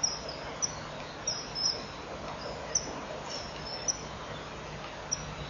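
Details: Pair of Common Kingfishers at the nest burrow, 12:36 on 26 May 2015: male leaves the tunnel and they chip at each other about half a minute before mating; short, shrill, very high chirps over steady hiss.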